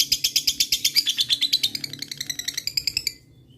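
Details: Lovebird ngekek trill aimed at rival birds: a fast run of high, buzzy pulses that slowly loses strength and stops abruptly after about three seconds, leaving a faint low background hum.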